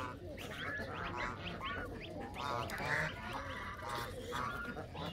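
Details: Flock of Canada geese chattering, with quick, overlapping nasal honks tumbling one after another in a continuous jumble of calls.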